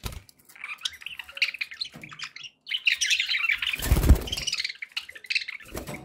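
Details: Happy pet budgerigars chattering in rapid, scratchy chirps and warbles, with a loud low thump or knock around the fourth second breaking through the stream of calls.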